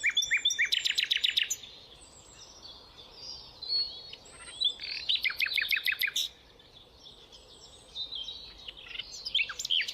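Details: Rufous nightingale song; rapid trills of repeated sharp notes in bursts of about a second, interspersed with varied whistled phrases, over a faint background hiss.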